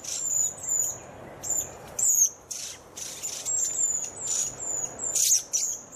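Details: Redwing calling with scattered, very high, thin slurred notes, mixed with short scratchy bursts and a rough noisy patch toward the end.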